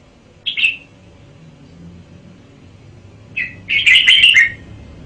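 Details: Red-whiskered bulbul kept in a cage, one short whistled note followed after a pause by a rich, fast warbling phrase of several linked notes.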